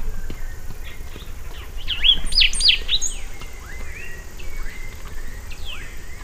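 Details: Rusty sparrow song: a burst of bright, sharply rising and falling whistled notes, loudest midway, then scattered thinner slurred chirps, over a low outdoor rumble.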